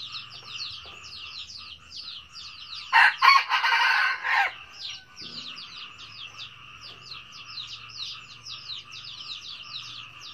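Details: Red junglefowl crowing once, loud and harsh, for about a second and a half mid-recording, set against a constant fast, high-pitched chirping chorus that runs from start to end.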